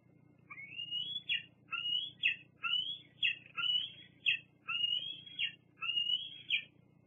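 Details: A fledgling bald eagle at Fraser Point squees at the adults on 8 August 2022; thin rising whistled squeals ending in sharp downward notes, repeated in a steady series, with a soft low rumble in the background.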